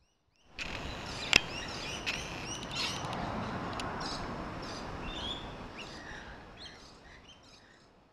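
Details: Rainbow lorikeets feeding on a large grevillea in a back garden, giving scattered harsh high screeches and chirps over steady background hum.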